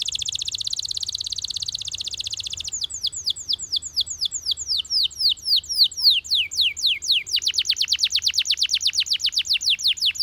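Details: A male Belgian canary sings a fast, high song: an opening buzzy roll, then rows of quick descending whistled notes that speed into rapid trills, with a faint low hum underneath.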